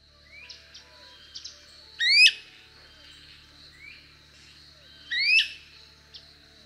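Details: Great Crested Flycatcher, a winter migrant in Costa Rica, giving its call: two loud, rising, burry wheep calls about three seconds apart, with softer chirps and faint background birds between them.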